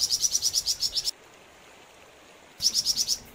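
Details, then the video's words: Flamboyan bird singing vigorously: a brisk run of about nine sharp, high chirps, a silent pause, then a new run of similar rapid notes beginning. "Burung flamboyan gacor"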